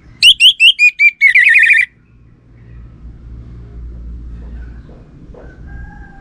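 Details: Orange-headed thrush song from Singaraja, North Bali, serving as a lure that males reply to: six quick whistled notes, then a buzzy, wavering warble, followed by quiet background rumble and faint distant sounds.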